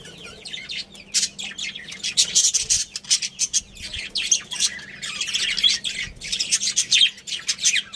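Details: Budgerigars, a breeding pair with their family, chirping: dense, continuous chattering of high, scratchy warbles and squawky notes that overlap without pause throughout, with a faint low hum underneath.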